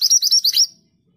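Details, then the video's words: Part of a scarlet minivet (mantenan gunung) song: five or six rapid, high, sweeping whistled notes in a tight burst, then silence. "BURUNG MANTENAN GACOR ROLL PANJANG"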